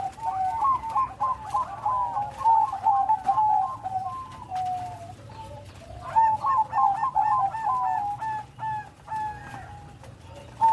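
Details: Bangkok zebra dove singing loudly with a big voice and full rhythm: a bubbling trilled coo phrase slurring downward, a pause, then another rapid rippling phrase and a final clear note.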